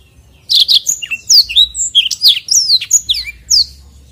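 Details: Black-throated canary singing a long rolling song used as tutor recording for training birds: rapid, varied high whistled and chirping notes with sharp downslurs, delivered in quick continuous bursts after a brief quiet start.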